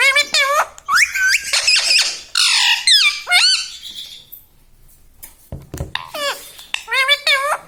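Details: Pet rose-ringed parakeet indoors at home, a talking bird: loud harsh squawks with rising and falling raspy notes in quick bursts, a short quiet gap with a knock, then more squawking.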